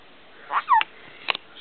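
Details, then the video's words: Pet male black-capped caique indoors mimicking the phrase "step up", which he practises saying all the time; two quick, slurred, nasal syllables, the second a bright falling squeak, followed by a pair of short clicks in a quiet room. "My Caique Saying Step Up!"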